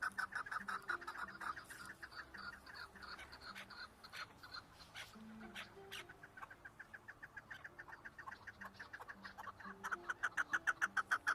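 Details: Chukar partridge giving rhythmic chuk call series, loud at the start and end with dense overlapping notes between, roughly three notes per second, faint low sustained tones underneath.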